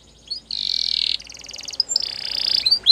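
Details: Canary song heard through faint background hiss: a harsh, buzzy sustained phrase, then a quick rattling trill and another long buzzy note ending in a rising whistle.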